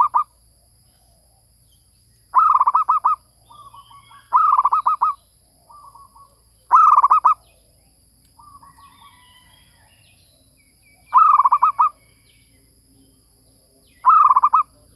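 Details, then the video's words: A zebra dove, used as a lure call, gives bursts of rapid, staccato, rolling coos every two to three seconds, with softer, shorter cooing notes in between. "Suara pikat | MERBUK"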